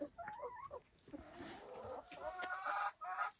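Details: Silkie chickens on a homestead farm in the Vermont hills, heard in a flock: a wavering, tonal hen call rising and falling near the start, then overlapping murmured clucks and soft chatter from several birds.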